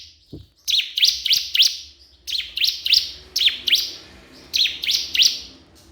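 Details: Crystal prinia repeatedly calling to a rival: groups of three or four sharp, buzzy chirps sweeping down then up, spaced by short gaps, over a faint background hiss; a low thump near the start.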